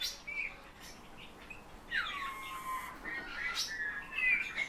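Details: Eurasian bullfinch taught to sing by its keeper, imitating his whistle plus nightingale and thrush phrases: a few piping notes, then a long smooth whistle gliding down and levelling off, followed by brief higher fluty notes, in a quiet room.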